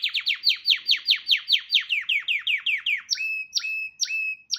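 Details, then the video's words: Canary in full song, repeating rapid downward-slurred whistles about three per second, then switching to spaced flat whistles with a sharp upward flick at the start. "Kanariezang, deze moet je echt horen."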